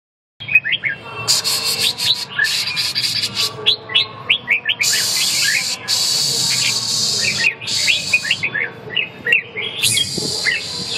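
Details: Red-whiskered bulbul singing: bright short chirped and whistled notes in quick phrases, interrupted by loud bursts of broadband hiss and rustling.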